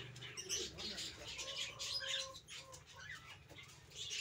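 Sun conure giving harsh, scratchy chatter and screechy bursts in quick succession.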